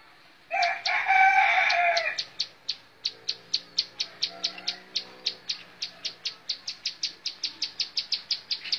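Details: A rooster crows first, then a bar-winged prinia (ciblek sawah) keeps up a long montal mantul run of bright, evenly repeated high chips, roughly two per second, for several seconds.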